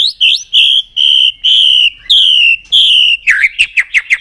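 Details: Shama song meant to stimulate a bird to sing and flick its tail: several long, steady, pure whistles, each nearly half a second, followed by a rapid burst of short sharp notes.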